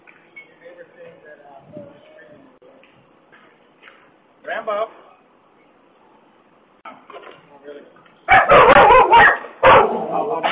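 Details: A 40-year-old pet parrot on an outdoor perch in Lake Worth Beach, Florida, gives loud, harsh, human-like screams in three quick bursts near the end, after quieter talking voices; it was taught to yell "help, help, let me out," and a neighbour mistook it for a woman screaming.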